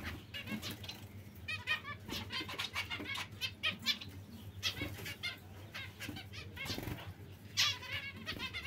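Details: Several zebra finches calling in rapid, overlapping bursts of short nasal toots, some in quick trills of three or four notes, over a constant low electrical hum.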